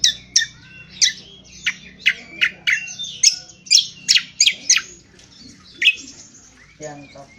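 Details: Rough ngriwik kasar twitter of an Indonesian honeyeater, a style used to train birds: rapid, harsh chirps in dense bursts, several per second, then a pause and a few squawkier notes near the end.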